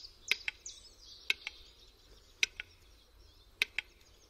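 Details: Western capercaillie displaying in a forest at the start of the mating season: sharp dry clicks in pairs, each pair roughly a second apart, over a background of high twittering songbirds.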